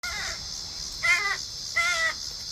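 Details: A crow arriving with its family for a backyard feeding of hardboiled eggs gives three harsh, nasal caws, each about a third of a second long and under a second apart, over a steady high hiss.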